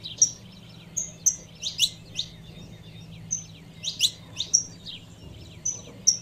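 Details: Female saffron finch calling to stir up the male: short high chirps and thin whistled notes scattered irregularly, some in quick pairs, over a low steady background hum.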